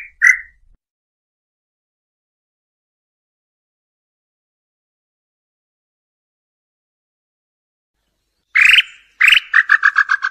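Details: Tataupa tinamou (nambu pé roxo) calling to attract a mate of either sex: one whistled note, a long pause, then two loud notes opening a rapid, accelerating string of falling notes.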